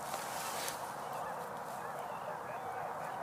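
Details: A large flock of tundra swans on water, with ducks, on 12 November 2022, quite vocal at this time of year, gives a steady, overlapping chorus of soft, mellow hooting and yelping calls that blends into one continuous murmur.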